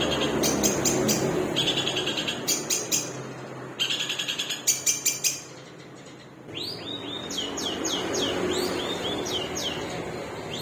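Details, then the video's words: Long-tailed shrike with a torn beak delivering long song bursts: fast repeated high chattering notes in runs, then a series of rising whistled sweeps, over constant loud hissing background noise. "CENDET MEWAH PARUH SOBEK | TEMBAKAN PANJANG"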